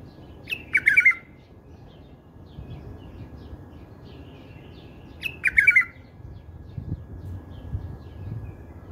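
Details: A bulbul's song in a style that keepers love. Two quick, liquid warbled phrases come roughly four and a half seconds apart over a faint, steady low hum.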